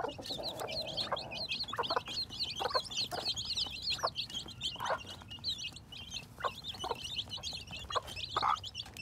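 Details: Baby chickens hatching in spring 2021, peeping constantly in a crowded chorus of shrill chirps, with a soft low murmur early and scattered brief clucks throughout.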